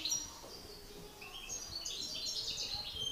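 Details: European goldfinch males in a singing contest, master against excited bird: continuous soft high twittering and tinkling notes throughout.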